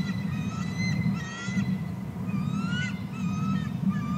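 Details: Eagle calling at the nest during feeding of eaglets, the other adult arriving with more fish in odd talking tones. Thin, high whistled notes run throughout, some drawn out and bending upward, others clipped and chattering, over a constant low electrical hum.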